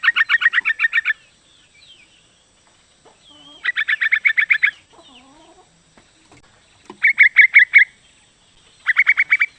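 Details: Long rattling bursts of a dozen fast chattering notes from a female yellow-vented bulbul calling to the male, repeated four times with quieter warbling notes in between.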